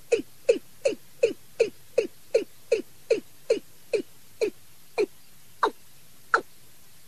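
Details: Watercock call used as a night-trapping lure, recorded from a decoy bird: rapid string of short, low, falling notes close to three per second, slowing near the end into a few sharper, higher clicks.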